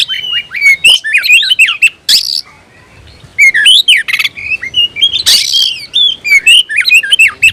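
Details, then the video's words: Oriental magpie-robin singing vigorously with tail open, roused to summon a rival: crisp downslurred whistles and chips in quick phrases, broken by two loud harsh rasps and a short pause. "kicau burung KACER‼️gacor buka ekor dongkrak emosi panggil lawan tarung"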